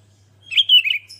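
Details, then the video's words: Single short warbled phrase from a sooty-headed bulbul, a lively singer meant to provoke other bulbuls: liquid, slightly buzzy notes wavering and falling across about half a second. "Kutilang Anda Langsung ikut Ribut Setelah dengar Burung kutilang Gacor ini"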